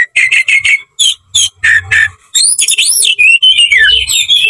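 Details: Oriental magpie-robin in aggressive fighting song: a run of short harsh buzzy notes repeated about four times a second, pauses, then rapid looping high whistles that twist and tumble.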